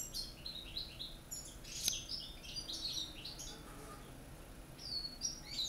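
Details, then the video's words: Corsican European goldfinch singing in a cage among other goldfinches: fast, jingling phrases of high chirps, buzzy notes and short trills tumbling one after another, with one sharp click and faint hum behind. "chardonneret vrai chant de corse"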